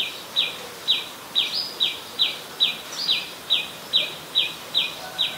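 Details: Common tailorbird, adult, Ubon Ratchathani, Thailand, 27 January 2021: a rapid series of about a dozen bright, piercing 'chee' notes, each sharply dropping in pitch, evenly spaced a little under half a second apart over quiet background.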